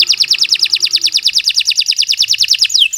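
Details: Canary in full song, played as a tutor recording for young birds: one rapid, even trill of bright chirps at about three notes per second, ending in a quick falling slur.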